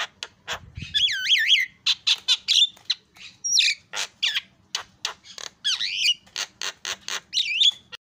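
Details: Javan myna singing energetically: a rapid, irregular string of sharp clicks and rasping notes broken by wavering, looping whistles, continuous over eight seconds with faint low rustling early on.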